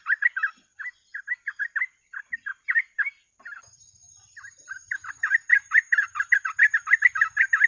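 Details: Bird-catching lure of a sooty-headed bulbul singing gacor ropel: spaced bubbly notes, a short pause, then a dense, fast run of chattering notes over two per second, with a thin continuous high tone.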